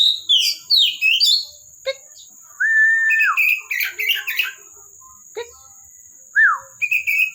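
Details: Oriental magpie-robin (kacer) from a bird collection in lively song: varied whistled notes, a long steady whistle, quick chirpy clusters and short dropping calls separated by brief pauses, with a constant high electronic whine behind.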